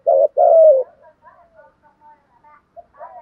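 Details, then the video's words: Spotted dove cooing in the 'thúc gù bài bản bổi' style: a brief note and then one longer falling coo, followed by faint, wavering tones and soft background sounds. "Tiếng chim cu gáy thúc gù bài bản bổi nghe rất xiêng gáy, giọng hạp bổi"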